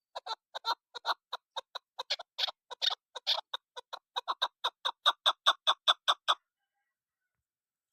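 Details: Calling female chukar, a luring call: a steady series of hoarse clucking notes, about two and a half per second, briefly becoming denser and raspier, then fairly regular until silence near the end.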